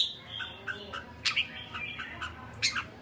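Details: Red-whiskered bulbul giving kekek calls: a few short, sharp chirps spaced irregularly across three seconds over a steady low hum and background hiss.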